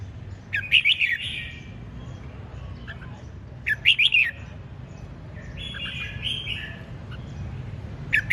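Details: Red-whiskered bulbul singing vigorously in the ché chẻ style: two short bursts of quick, bright, warbled notes about three seconds apart, each trailing into a drawn-out buzzy note, over a low steady hum.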